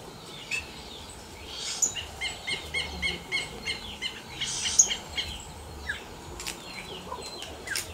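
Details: Yellow-rumped cacique singing in the wild: a busy run of short clicking and chattering notes with a few sharp whistled accents, repeated irregularly over a soft insect-like hiss.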